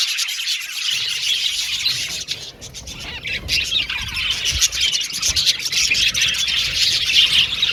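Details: Budgerigars kept in an aviary colony chirp and sing while playing in the cage, making overlapping shrill twitters and squeaks that build steadily in loudness, with a brief lull around the middle.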